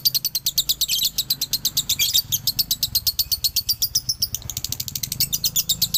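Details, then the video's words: Male lovebird from Galendo, Ciamis, giving the long 'dobelan' trill used as a training recording: fast, even stream of shrill high chirps running throughout, briefly broken by harsher bursts, with a faint low hum underneath. "SUARA ASLI DOBELAN LOVEBIRD JANTAN"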